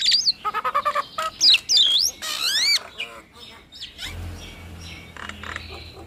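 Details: Nias hill myna, one of two birds calling together in a lure recording: loud whistled notes sweeping up and down, a run of quick repeated clicks, then a harsh rising-falling squawk, with softer chatter and a low hum near the end.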